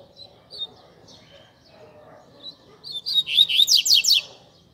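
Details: Caged Double-collared Seedeater singing the Tui Tui Zel Zel style used to train young seedeaters: faint high notes, then a loud burst of rapid, rising, buzzy notes repeated about three per second, with a quiet low hum beneath.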